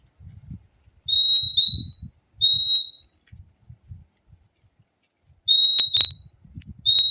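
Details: High steady whistles from a fim-fim: a paired note, a single note, then another pair and a final whistle, with soft low thumps and sharp clicks in the background.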